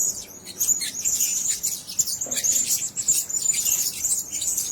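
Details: Dense, nearly unbroken chatter of piercing high whistles and hissy buzzes from blue-crowned hanging parrots kept together in one cage.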